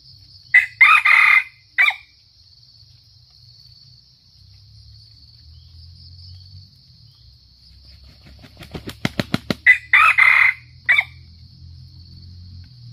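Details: Red junglefowl from Sumatra used as a lure for trapping, giving two short harsh crows about nine seconds apart, each a choppy burst of clipped syllables. A run of sharp clicks comes between them over a steady high insect drone.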